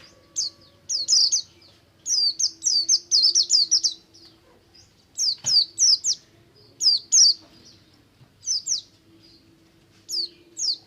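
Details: Oriental white-eye, Buxtomi type, in ngalas song used to stimulate other white-eyes: scattered clusters of shrill, high, falling chips, three to eight notes per cluster, with gaps between and a steady faint tone beneath.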